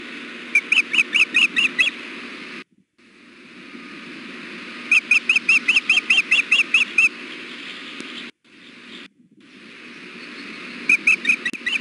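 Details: A nesting osprey female fussing for food while her mate is on the nest at Hellgate, hot afternoon of 6 June 2016. Separate runs of rapid, thin chirps rise above a steady hiss, with short silent dropouts between.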